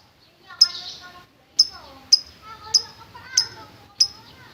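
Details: Lovebird ngetik and ngekek chatter, used as a lure to provoke fighter lovebirds: sharp, shrill calls, each opening with a bright click and trailing harmonic overtones, repeated about every half second against a quiet background.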